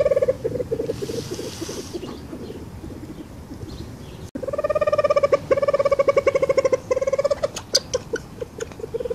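Reeves's pheasant gives quick runs of nasal, reedy notes, about three or four a second, softer at first, then a louder, steadier series after a brief pause.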